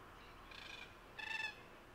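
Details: Red-tailed black cockatoos at King's Park, Perth, Western Australia, on 29 October 2023, recorded with a Canon R7: two harsh, grating calls rich in overtones, about half a second apart, the second louder, over faint background hiss.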